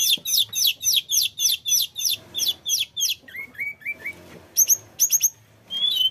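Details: Mountain flycatcher (tledekan gunung) in full rolling song with varied imitations, used as a lure for other birds: a rapid series of high, sharp descending notes about three per second, then lower slurred whistles and scattered high chips.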